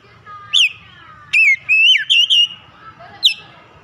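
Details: Oriental magpie-robin (Copsychus saularis) in active, vigorous song: loud, clear whistled notes, some sliding down and others swooping up, given in quick bursts with brief pauses over a quiet background.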